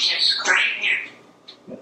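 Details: Talking African grey parrot indoors in a kitchen, babbling gibberish: loud bright squawky syllables with shifting whistled tones over about one second, then softer short bits, followed by a woman's voice.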